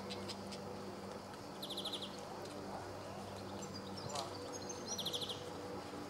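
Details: Two quick bursts of dry, evenly spaced ticking notes, a rapid trill repeated after about three seconds, from a male greenfinch recorded 26 July 2014 at Sabunike, Croatia.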